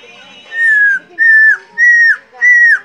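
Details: Helmeted friarbird whistling nonstop while being teased: four clear, even, mid-pitched whistled notes, each held about half a second and dropping at the end, spaced evenly apart.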